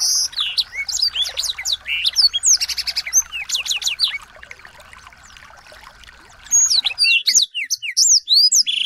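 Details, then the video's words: Song of small birds used to coax and train a white-rumped shama: rapid high chirps, sweeping whistles and short trills for several seconds, a hushed pause, then a fresh flurry of looping whistled notes. "masteran burung kecil agar murai batu gacor"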